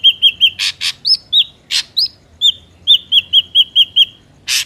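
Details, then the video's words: Wild ashy drongo song recorded for luring drongos into traps: clear whistled notes in quick runs, broken by loud harsh rasps, ending with six rapid repeated whistles and a final rasp. "SUARA BURUNG SRIGUNTING ABU ASLI SUARA ALAM"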